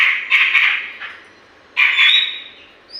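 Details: Grey-cheeked bulbul singing as a lure for other birds; loud squawky bursts of chattering notes, a gap of under a second, then another burst ending in a thin rising whistle.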